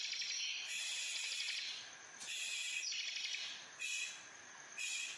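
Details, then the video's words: A kept Bar-winged prinia (ciblek kristal) in full "ngebrem" buzzing song gives harsh, buzzy, high rattling bursts of one to one and a half seconds, each separated by brief pauses. "Burung Ciblek Kristal Full Ngebrem"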